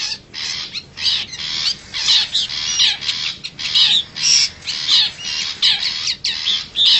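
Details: Long-tailed shrike lure call used to draw in wild forest shrikes. Harsh, scratchy squawks are repeated in short bursts roughly every half second, with brief gaps between them.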